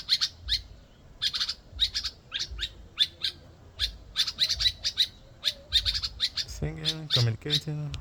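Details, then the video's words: Two birds in Ghana keep up relentless high, squawky chattering in quick bursts; near the end a man's voice speaks over them. "I Chanced Upon These Two Birds in Ghana, Making These Noises Relentlessly"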